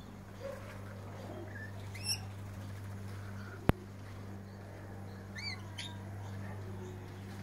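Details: Rainbow lorikeets eating, recorded on a Samsung Galaxy Note 4 phone camera: two short, bright, rising squeaky notes rich in overtones, about three seconds apart, over a steady low hum, with one sharp click between them.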